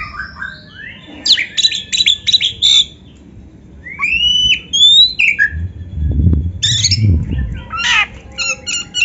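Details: Song of the white-rumped shama, used as a training recording for young or quiet birds: slurred whistles and rapid buzzy chip series, with a low thumping noise in the middle.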